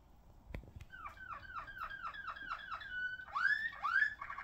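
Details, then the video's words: Ringed Malinois Waterslager song canary singing: a steady run of about nine falling whistled notes, a held flat tone, then louder swooping rising-falling notes; a soft knock is heard early on. "Canario de canto Malinois Waterslager"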